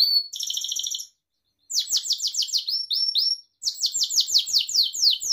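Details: Pet Gloster canary song for training: a buzzy rolled trill, a brief pause, then fast series of bright downslurred whistles repeated several per second, stopping briefly before another rapid tour.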